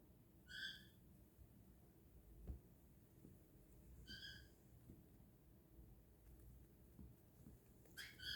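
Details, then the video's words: An itchy male pet cockatiel being scratched gives three tiny squeaky sneezes, spaced about three and a half seconds apart, over a low, quiet indoor hum; owner wonders if he is allergic to something. "scritches and sneezes! cockatiel"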